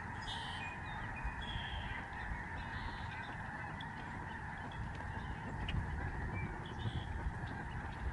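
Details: Huge November 2011 flock of Lesser Snow Geese flying over a Canadian migratory bird sanctuary, thick overlapping honks with some higher squealing notes early on and low rumbling noise underneath.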